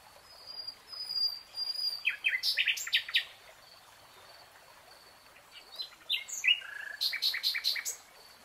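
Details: Singing nightingale in a green forest: two bursts of varied, clipped and slurred notes, each ending in quick repeated chips, separated by a quiet pause. A thin high tone lingers in the background.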